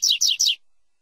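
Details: Double-collared seedeater classic tui-tui song, played to train young brown birds: three quick high whistled notes, each sliding downward, evenly spaced within half a second, then silence.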